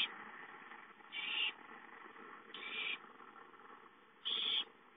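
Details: Owlet begging for food at home, dated 5-9-13: three drawn-out raspy hisses spaced more than a second apart, each flat and noisy, with steady low hum behind.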